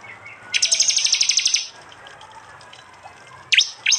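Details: Phone recording from East Java, Indonesia: a prinia gives one rapid, even rattle of high piercing notes for about a second, then silence and two sharp downslurred whistles, from a prinia-jali training compilation.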